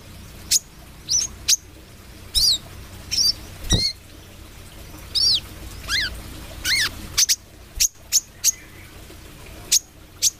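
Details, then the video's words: Speckled 'trotol' brown-throated sunbird singing actively. It gives loud, piercing, high notes, some sweeping steeply downward in forked shapes, spaced irregularly about every half second, with a few sharp clicks between phrases. "KOLIBRI KELAPA TROTOL GACOR"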